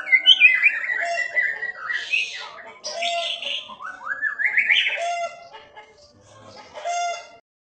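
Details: White-rumped shama in lively gacor singing: rich whistled phrases that climb in stepped runs, mixed with buzzy bursts and chattering notes, flowing almost without pause.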